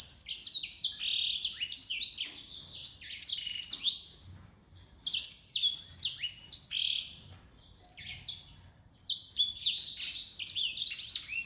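A grey singing finch and canary hybrid sings in quick bursts of high, sweet, sliding whistles and trills, three phrases with short pauses between them.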